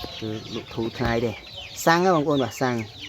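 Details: Hand-raised waterhen that pecks its owner's hand and shows off with loud calls, suited as a decoy. A few low clucks, then two strong, resonant notes with falling tails.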